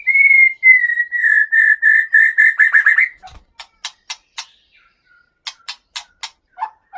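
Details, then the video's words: Captive Aceh white-rumped shama from a breeding aviary, lineage from Bahorok in the Leuser mountains of North Sumatra: loud, even whistled notes repeated rapidly for three seconds, then sharp dry clicks spaced irregularly with a few faint whistles. "Murai Batu Aceh Gunung Leuser"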